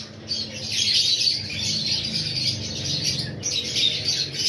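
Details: Pineapple conures, a breeding pair, calling with harsh, continuous squawks and scratchy chatter that hold steady over several seconds, plus a faint low rumble underneath.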